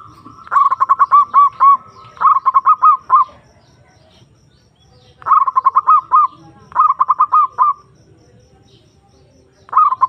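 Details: Zebra dove (perkutut) lure call meant to draw a rival's reply: four bursts of fast, evenly spaced soft coos, two close together early and two more after a pause, with one starting at the end.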